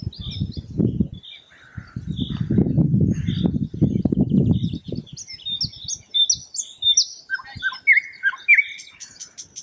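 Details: Thrush nightingale song beginning under heavy low rumbling noise, then emerging clearly as a quick string of sharp rising high notes, followed by several loud, rich, slurred descending notes and fine rapid ticking.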